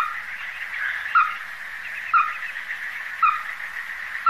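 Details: Resident Ruddy-breasted crake beside the Donggang River, Taiwan, in December 2023, giving crisp single notes about once a second, each short and falling slightly, set against a continuous even hum.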